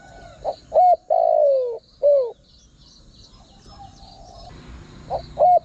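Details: Spotted dove cooing to attract wild birds: one full phrase of two short coos, a long falling croon and a clipped final coo, then quiet with insect hum before two more coos start again.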